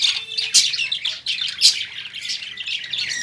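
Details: Lovebirds kept in a cage at home give loud, scratchy chirps and squawks in irregular bursts, several overlapping.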